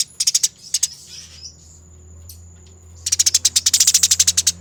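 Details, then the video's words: Fighting Eurasian tree sparrow on a bird-training master: short clusters of crisp chirps, a quiet pause with a steady high tone, then a long, fast, dense run of harsh notes. "Masteran Burung Gereja Tarung Ngerol Abis, Nyerecet Speed Rapat dan Jernih"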